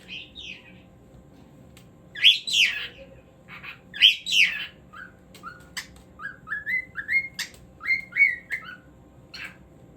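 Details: Pet cockatiel singing: loud squawky rising notes around two and four seconds, then a run of short rising whistled phrases repeated about every half second.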